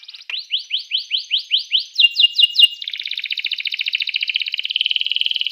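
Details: Canary song played to get rival canaries singing: a string of rising sweeps about every quarter second, then a long fast even trill continuing to the end.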